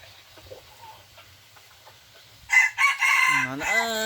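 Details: Second-generation (F2) junglefowl cock, described as very vigorous, gives one loud harsh crow that starts abruptly after a quiet lead-in, then drops into a lower, drawn-out, falling tail; faint background murmur before it.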